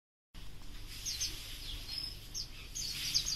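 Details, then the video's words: Oriental white-eye (pleci auri) singing a rapid, high, thin twittering song in short bursts over a faint low rumble, a song suited for tutoring other birds. "Pleci auri cocok buat masteran"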